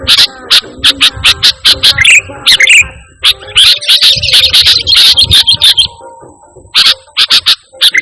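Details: A sooty-headed bulbul sings without any imitated phrases, used to lure and train pet birds. Fast chips and warbles build into a dense, buzzy chatter, then ease back into spaced clicks.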